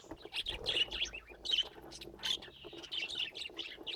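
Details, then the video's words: Pet budgerigars in a lively, overlapping chatter of buzzy chirps, rasping warbles and sharp squeaks, steady throughout with faint low background noise. "Laughing Budgies"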